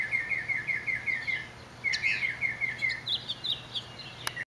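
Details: A Northern Mockingbird in Orange, California, on July 18, 2009 sings a bright chirped phrase about eight times in quick succession, then shifts to new, higher phrases, each also in runs, over a faint low hum; Western Kingbirds, House Sparrows and House Finches also present.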